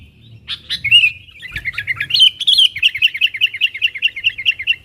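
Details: Sooty-headed bulbul calling wild companions, used to lure wild birds closer; a few sharp chirps and a warbled phrase, then a long even run of quick bubbling notes, about six per second.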